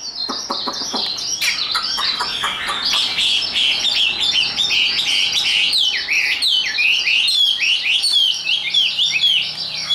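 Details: Chinese hwamei, a tame caged bird carried by hand and prized for fighting, pouring out high, rapid song: a few clicks at the start, then a nonstop torrent of quick whistles, trills and downward slurs.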